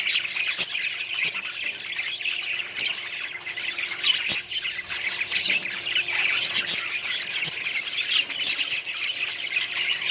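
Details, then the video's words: Colony of budgerigars in a small setup, a long stretch of busy overlapping chirps, squawks and warbles from many birds, punctuated by a few sharp clicks or taps. "budgies small colony setup"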